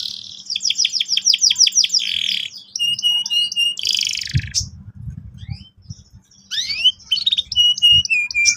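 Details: Vigorous canary used as a trigger song to coax young canaries into sharp rolling: a fast rising trill of repeated notes, then steady whistled tones, a buzzy burst, and upward-sweeping chirps, with faint low thumps.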